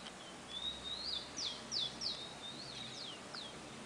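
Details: Rufous-collared sparrow, tico-tico, singing in a garden: thin whistled notes sliding up and down, then three or four quick sharp downslurred chips, ending with a falling whistle and one short note, over soft steady hiss.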